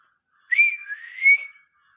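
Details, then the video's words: A pet parrot, Mithu, talking in a Hindi-speaking home as its owner asks whether it can whistle, gives one clear high whistle lasting about a second, dipping slightly mid-way and ending on a sustained note, in a quiet room. "funny parrot talking in Hindi"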